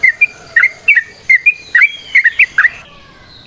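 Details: Lively gacor song of a Yellow-vented bulbul (trucukan), ropel variasi nrotok ngecuplik style, meant to draw song from other birds: clusters of clear chirpy notes sliding up and down, delivered in uneven bursts before a quiet ending.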